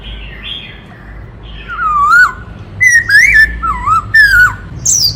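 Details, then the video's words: Soft opening notes give way to loud, wavering whistled phrases from a black-throated laughingthrush singing a varied, many-voiced song, with about one phrase a second. "Tiếng Chim Khướu Rừng Hót Đảo Nhiều Giọng Hay Kích Bổi - Khướu bạc má hót"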